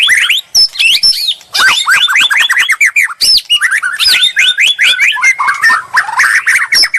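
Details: White-rumped shama song used as a bait recording, full of rapid repeated upswept whistles in quick series, interspersed with high thin notes and crisp ticking sounds.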